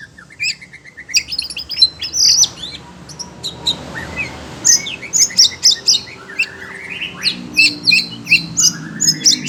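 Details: Oriental magpie-robin (kacer) kept as a cage bird, excited by hearing other birds, sings shrill chirps and whistles that grow into fast, rhythmic trilled phrases, with a short quieter stretch midway.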